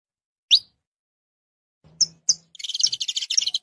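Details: A lone rising chirp from a saffron finch, a pause, two quick sharp notes, then a dense, fast buzzing trill to the end; faint low hum underneath.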